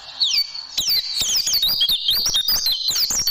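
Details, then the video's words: ['Caged-bird training song of an oriental white-eye (pleci) in tembakan style: two falling whistled slurs open the passage, then a loud, fast jumble of high twittering and sweeping notes runs without a break.'] "Masteran Burung Pleci Dan Tembakan Super Ampuh Pleci Juara"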